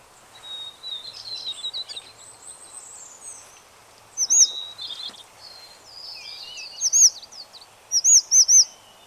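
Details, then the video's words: White-browed Shortwing of the Taiwan-endemic subspecies goodfellowi, recorded in Taichung on 6 February 2020. A rambling, high warble is broken by loud, looping, slurred notes in clusters of two or three, over a steady background hiss. "小翼鶇 / White-browned Shortwing"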